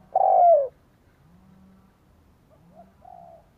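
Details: Spotted dove calling to stimulate wild doves: one loud, drawn-out descending coo, then faint softer coos trailing after it over a low murmur.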